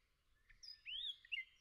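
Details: A nightingale singing in a forest gives a brief song fragment: a few high, pure whistled notes, one sweeping up and down, with a faint low rumble beneath.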